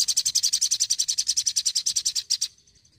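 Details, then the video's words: Energetic crimson sunbird singing a rapid, even trill of high sharp notes, about eight per second, held for two and a half seconds before stopping abruptly. "PECINTA SOGON PASTI SUKAK..SOGON ISTIMEWA YANG ENERGIK"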